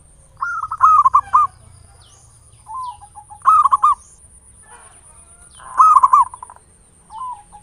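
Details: Local zebra dove song as a lure to provoke singing, ngayer nulop style: three strong rolling coo phrases, each of several quick beats, spaced about two and a half seconds apart, with quieter descending coos between them.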